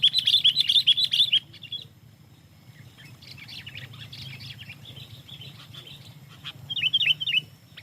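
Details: Sooty-headed bulbul used for luring: a quick burst of bright chirps, then soft scattered twittering over a steady low hum, with a short chirpy phrase near the end.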